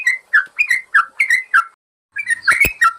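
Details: Yellow-vented bulbul song for training caged birds: a run of six quick, bubbly whistled notes falling in pitch, a short silence, then a denser burst of warbling notes with sharp clicks.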